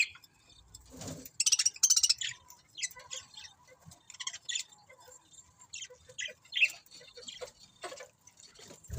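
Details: Several budgies chirping: scattered short, scratchy high chirps and clicks in uneven bursts, a brief dense flurry near the start, with a few soft low thumps.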